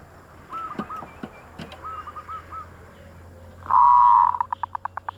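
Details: Zebra dove sound used as a lure for wild doves: faint soft cooing phrases, then a loud sustained burst followed by a run of short clipped notes repeated rapidly, over a low steady hum.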